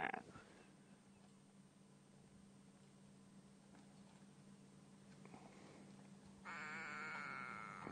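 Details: Go-away-bird calling from just above a predator at an impala carcass on a morning safari drive, South Africa, 20 July 2016: harsh, nasal, drawn-out call near the end after quiet hum, then it flies off.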